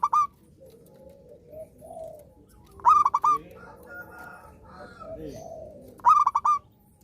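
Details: Zebra dove, a persistent, vigorous singer, whose song is played to coax silent zebra doves into singing again: short rolling coo phrases, a brief note then stuttering clipped coos ending longer, repeated about every three seconds over soft lower cooing in the background.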